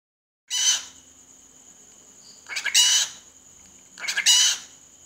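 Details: Australian cockatiel, said to talk in Malayalam: three loud, harsh, raspy bursts, each about half a second long and spaced roughly one and a half seconds apart, with quiet pauses between them.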